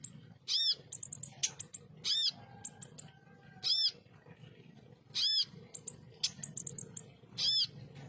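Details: {'type': 'text', 'text': "Ruby-cheeked sunbird tutor recording in the 'tembakan kasar' style: loud, arched, ringing notes repeated every one to two seconds, interleaved with quick high chip clusters, faint low hum behind."}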